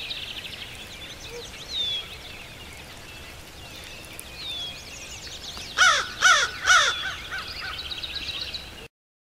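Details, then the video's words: American crow near a hide in Shiawassee County, Michigan, recorded 5/11/14; after a stretch of other small birds singing, three loud raspy caws come in quick succession, with faint birdsong continuing behind. "Crow Calling Close-Up"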